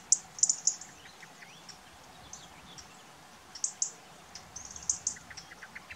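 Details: European robin giving short, sharp, very high ticking calls, several in quick pairs and triplets, spaced irregularly across the clip, with faint softer chirps and quiet background noise between them.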